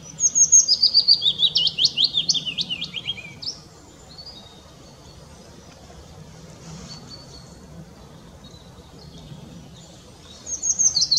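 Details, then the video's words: Willow warbler singing at Hindekamp on 4 May 2017: a clear, sweet phrase of rapid high notes cascading gently downward for about three seconds, then a quiet pause before the next phrase begins, faint low rumble beneath. "Zingende fitis"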